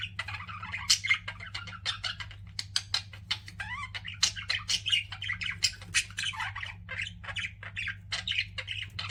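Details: Budgerigars kept as pets chatter indoors in quick warbled chirps, clicks and short squawks, with a few slurred rising and falling notes, all over a steady low hum.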